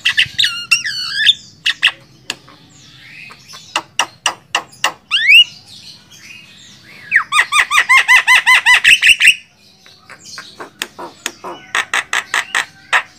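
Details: Javan myna singing for a master recording to train songbirds, mixing wavering whistles, harsh down-slurred squawks and rapid clicking bursts, with a fast series of descending notes midway and a quieter rattle at the end.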